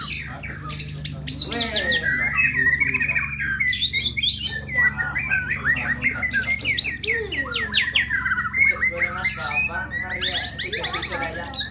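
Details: White-rumped shama (murai batu) singing a dense, nonstop stream of loud whistled phrases that rise and fall quickly, mixed with harsh squawky and chattering notes, over a steady low hum.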